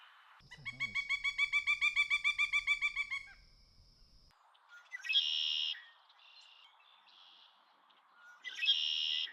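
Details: Birds singing in a relaxing nature setting: a rapid series of evenly spaced harmonic notes for about three seconds, then a pause and two bright chirpy bursts a few seconds apart.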